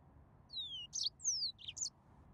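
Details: Brief phrase from a yellow-fronted canary (Serinus mozambicus): two long, clear, falling whistles alternating with short buzzy high chirps.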